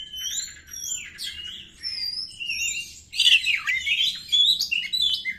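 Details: White-rumped shama song used as a lure to provoke other shamas: varied clear whistles, sliding up and down, some rich warbled phrases, with short pauses, growing louder and more complex after three seconds.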